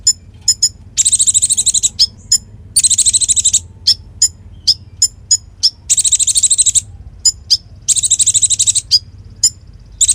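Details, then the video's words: Konin in vigorous full song as tutor for magpie-robins and fighter songbirds: long high buzzy trill bursts about every two seconds, interspersed with many short sharp chips. "Masteran Konin Gqcor Nembak Full isian Buat Isian Buring kicau"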